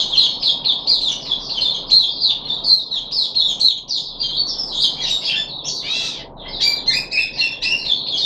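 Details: A caged puff-backed bulbul, third day after deworming, 14 July 2021, pours out a dense run of high, warbling chirps, then a brief dip and a rising slurred note before the chatter resumes.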